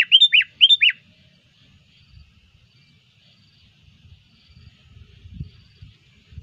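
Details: Short opening of a sooty-headed bulbul lure call used by bird trappers: two quick bubbly falling notes, then near silence with faint low rumbling.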